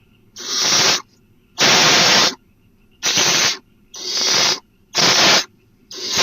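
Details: Barn owl at its nest at night with the first food of the night, headless prey that looks to be an opossum, dated 4/3/12; harsh, broad hissing screeches under a second long, repeated roughly once per second with short silent gaps.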